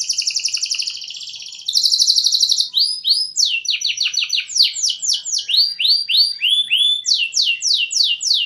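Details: Canary song for training other birds, opening with rapid rattling trills, then a steady stream of rising and falling whistled notes in quick rhythmic series, bright and high.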